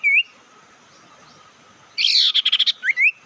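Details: Bird lure call used to rile up opponents: a single rising whistled note, a pause, then a harsh buzzy rattle of rapid pulses ending in two upslurred whistles.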